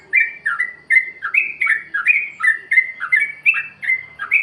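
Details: Free-style 'plik plok' lure song of a Yellow-vented bulbul, meant to spur caged birds that are reluctant to sing: rapid liquid chirps, each dipping then rising, repeated steadily in a bright chattering run.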